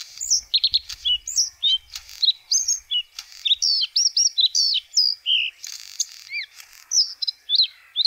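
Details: White-spotted bluethroat song: a varied stream of high, quick twittering notes, sharp chirps and short whistled slurs, some repeated in small runs, with brief pauses between phrases.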